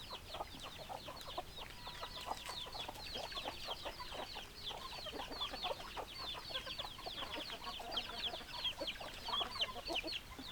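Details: A chicken flock of hens and roosters: an unbroken chorus of high, rapid, down-slurred peeps. Softer clucks sound beneath the peeps for the whole stretch.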